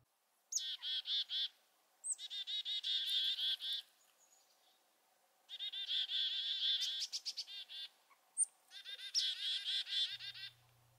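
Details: Chickadee mobbing a predator, giving four bursts of its chick-a-dee alarm call: a few high, thin opening notes, then long strings of rapid, buzzy, harsh dee notes; more dee notes signal a more dangerous predator.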